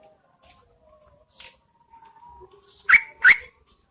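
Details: Female Yellow-vented Bulbul luring males in the rainy season: faint thin whistles and soft hissing notes lead up to two loud, bright chips about a third of a second apart.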